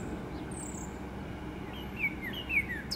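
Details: A big red Northern Cardinal that visits daily between 10am and noon as spring approaches gives a quick series of clear, down-slurred whistles in the last second. A thin high note from another bird comes earlier, over a steady low rumble.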